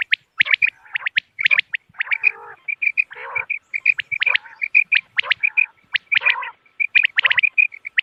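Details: Lure calls of common quail for moonlit-night hunting, with clusters of sharp, high, clicking notes in fast groups and occasional deeper, grating, nasal bursts between them.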